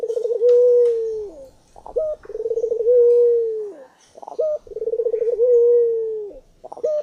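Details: Very vocal puter dove giving low cooing phrases three times, each starting with a rolling, stuttered run and then settling into a long, steady coo that drops off at the end, followed by a short higher note.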